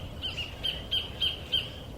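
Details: Sacred kingfisher in New Zealand, perched in a tree overhead, giving five sharp, high, evenly spaced calls, one about every third of a second, over a low background rumble.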